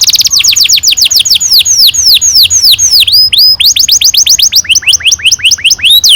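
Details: Singing canary in long rolling style played to encourage young canaries to sing: a rapid unbroken stream of falling whistles, changing speed and pitch in successive phrases, with a lower, slower series at the close.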